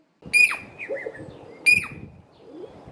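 Jacobin cuckoo giving two sharp, high whistled notes about a second and a half apart, each dropping at the end, over a man's voice speaking.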